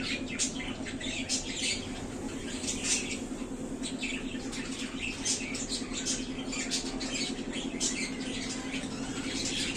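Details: Budgerigars, described as very happy in their new small cage, give a steady stream of short, high chirps and tweets, often several a second, over a constant low mechanical hum.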